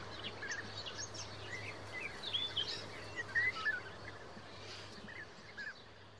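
European bee-eaters give short, liquid rolling chirps in a loose chorus over steady background noise.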